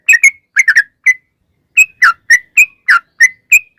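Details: Sooty-headed bulbul song used to provoke other bulbuls into singing: loose groups of clear whistled notes, a pause near one and a half seconds, then single slurred notes about every quarter second, clean background.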